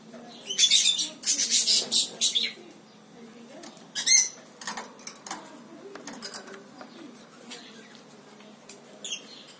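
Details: Lory parrot giving harsh, hissing, broadband screeches in a dense burst over the first two seconds. A shorter loud screech follows, then scattered softer rasping notes fade out.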